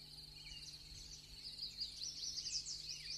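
Lesser whitethroat giving a quiet, high, scratchy warble of rapid chattering notes that grows slightly louder, over a faint low hum.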